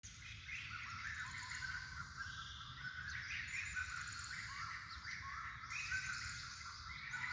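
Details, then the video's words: Birds chirping outdoors, a dense wash of overlapping high twitters and trills with some louder whistled notes, over low rumbling environmental noise. "Birds chirping"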